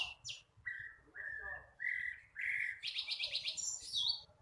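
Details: Still-learning young flycatcher delivers a sequence of clear level whistles, each a little higher, followed by a quick buzzy trill of repeated high notes and a final downslurred whistle.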